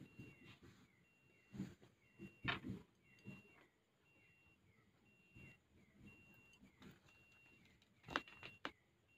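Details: A tame pet Blue-crowned hanging parrot being teased by its keeper gives thin, high, evenly spaced notes about twice a second, over close bumps, clicks and rustling handling noise.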